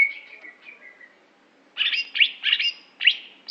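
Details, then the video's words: Aceh greater green leafbird known for performance: a soft fading whistled trill opens, then after a pause come loud harsh bursts of chattering notes in three or four quick clusters. "Cucak Hijo Aceh Prestasi"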